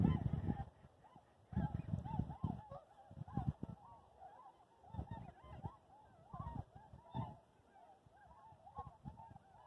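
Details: Two groups of trumpeter swans taking flight at Columbia White Tail Deer National Wildlife Refuge near Skamokawa, Washington, 29 Jan 2022. Deep, nasal, horn-like honks overlap and repeat over heavy rumbling wingbeats and water splashing.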